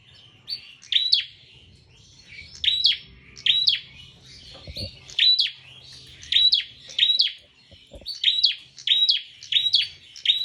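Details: Full, lively prinia song made of short, sharp chirped phrases with a bright upslurred note. The phrases repeat roughly every second or two, with a soft low hum in the background.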